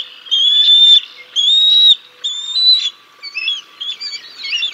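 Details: Feeding time at a bald eagle nest, 6 May 2022, the father bringing a fish: three drawn-out high whistles, then softer, quicker twittering slurred notes.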